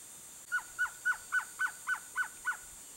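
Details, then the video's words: Male Blue-crowned Trogon singing: a steady series of eight short, hollow, mid-pitched cooing notes spaced about a third of a second apart, over a constant high insect hiss. "BLUE-CROWNED TROGON male singing (TROGON CURUCUI), SURUCUÁ-DE-BARRIGA-VERMELHA"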